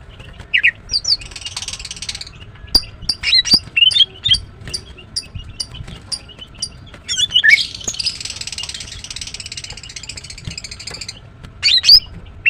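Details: Female greater green leafbird chirping: sharp, whistled notes that slur up and down, given singly and in quick clusters, alternating with long harsh, buzzy chattering bursts of about a second each, in an otherwise quiet background.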